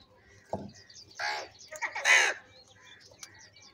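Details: Fighting and feeding crow crying out: two harsh, raspy caws in quick succession, the second louder and longer, over soft background chirping.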